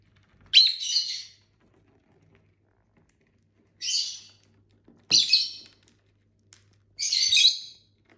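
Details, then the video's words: Pet lovebirds from a household flock of six, eating and singing: four separate harsh, buzzy chirp bursts, each under a second long, spaced roughly one to three seconds apart, with faint clicks between them. "Bird sounds for lonely lovebirds (Eating, Singing & Chirping Sounds)"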